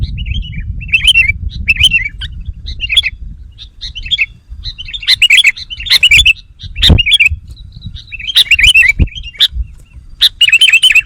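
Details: Sooty-headed bulbul calling to lure wild birds: a lively run of bubbly, warbling chirps, repeated in short bursts roughly every half second, overlapping and growing busier toward the end, over low background rumble.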